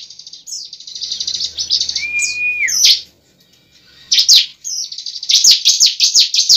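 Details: Bar-winged prinia fighting song played to goad a kept bird into singing: a buzzy trill, a sustained flat whistle, a brief silence, then a rapid series of sharp high chips.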